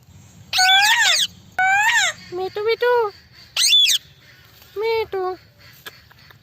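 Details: Indian parrot talking, with mimicked kissing sounds. Bursts of voice-like, harmonic chatter rise and fall in short syllables. Clipped lower notes sit between them, and sharp clicks are scattered through the clip.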